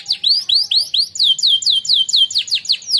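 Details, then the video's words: Canary, a singing contest winner, delivers a training song of clear rising-then-falling slurred whistles repeated about four times a second. "The Winner Canary Singing Contest | Named "NAPOLEON BONAPARTE" - canary training song"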